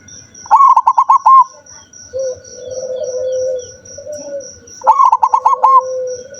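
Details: Two bubbling song phrases from a zebra dove recorded 7 November 2023, each a fast string of about six clear coo notes, separated by long, low, wavering hoots and a continuous pulsing high whine.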